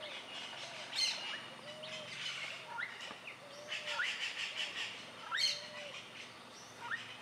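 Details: Yellow-naped Parrot (Amazona auropalliata) in Costa Rica's dry forest, natural habitat, giving harsh, raspy squawks every second or two, mixed with high chirps and low whistled notes from other birds.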